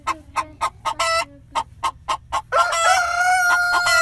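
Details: Hen cackling in a henhouse: a run of nine short, evenly spaced clucks at roughly four per second, breaking into a long, loud, drawn-out nasal squawk with clucks still sounding beneath it.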